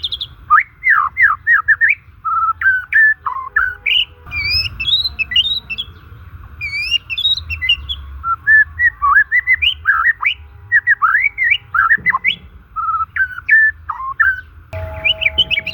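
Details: Natural song of a white-rumped shama, offered to lure silent and stressed shamas: a long, varied flow of whistled phrases, rapid trills and sharp high notes, with a constant low hum in the background.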